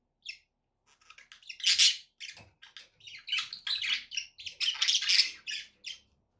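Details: Budgerigars kept as pets chatter almost continuously in a lively stream of scratchy chirps, squeaks and warbled notes, rising to loud overlapping bursts in the middle and end, indoors with no other sounds.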